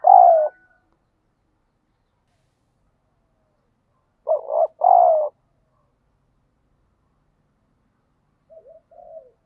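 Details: Spotted dove trained as a lure bird to provoke fighting, uttering a loud single coo, a strong two-part coo phrase several seconds later, and faint trailing coos near the end.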